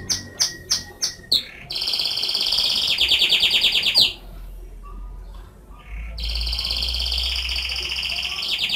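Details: Canary song opening with several sharp separate chips, then a rapid rolling trill, a quiet gap, and another long steady trill.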